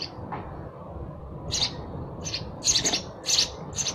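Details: A sparrow gives a quiet start, then a cluster of bright, harsh chirps in quick uneven succession during the second half.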